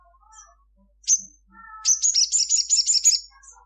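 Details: Sunbird (sogon) singing gacor at midday, a "cruit cruit" song: a sharp high chirp, then a fast run of high, thin, rattling notes, with soft lower whistles from another bird in the background.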